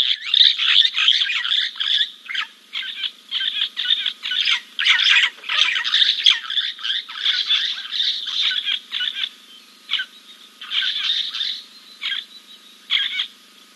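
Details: A Giant kingfisher preens after a dip at King's Camp on 2 April 2024. Almost continuous harsh, grating chatter runs for about fourteen seconds, coming in dense bursts and then thinning into scattered notes.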